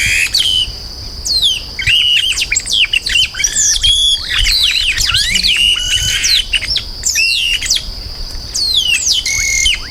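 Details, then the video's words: Chestnut-capped blackbird delivering a dense stream of varied whistles, chirps and sharp downslurs almost without pause, with a steady high-pitched ringing behind. "Som limpo do canto🎵 do Chupim do Brejo"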